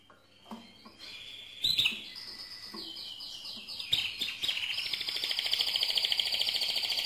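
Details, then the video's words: Mosaic canary giving what is billed as its loudest song: scattered sharp chirps and rising notes at first, then a dense, rapid rolling trill that grows steadily louder and holds high and even through the final seconds. "le Chant le plus fort de canari mosaïque"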